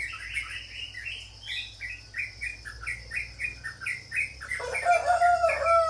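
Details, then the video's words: Sooty-headed bulbul, known locally as cucak jawa or trucuk, giving a fast series of short chirpy notes, each rising then falling, repeated about three times a second. A different, lower warbling bird joins near the end. "burung cucak jawa (Trucuk)"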